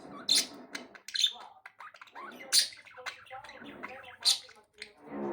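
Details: Three pet budgerigars chirping indoors: scratchy warbling chatter broken by sharp high squeaky notes every second or so, with short pauses between bursts.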